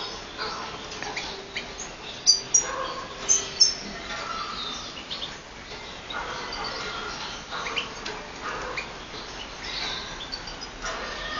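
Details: European goldfinch pair meeting, filmed on a mobile phone on 5-10-12: a brief cluster of thin, very high chirps and tinkling notes between two and four seconds, then quieter, over constant broad background hiss.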